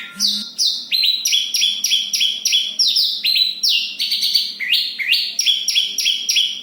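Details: Rapid, dense rolling song of a Javan bush lark from Kediri: quick strings of sharp whistled notes, some stepping upward and others dropping, repeated almost without pause.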